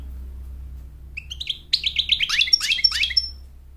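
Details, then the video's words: American goldfinch sings to attract a mate and to train chicks: after a second of quiet, a quickening burst of high, repeated rising chirps that grows louder toward the end, over a faint low hum. "Goldfinch sings to mate Goldfinch sings to train chicks to sing"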